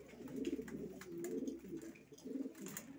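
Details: Racing pigeons giving soft, rolling low coos in short swelling phrases, a few birds overlapping, with faint clicks and rustling behind.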